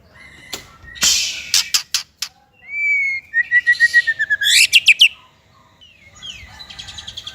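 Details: Masteran recording of a white-rumped shama for untrained and non-singing shamas: sharp clicks and harsh notes, a smooth rising whistle, then a rapid rattling run of chirps ending in softer notes.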